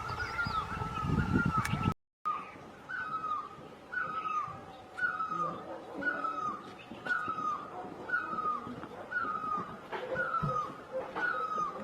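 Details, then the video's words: Great barbet in Asia giving a loud, wailing, down-slurred note repeated roughly once a second, a steady series after a brief gap, with fainter lower bird notes and soft background rustle. "Great Barbet, นกตั้งล้อ, Pehˇ oˍ, Piˇ oˍ loeˇ, Pi luˇ ma"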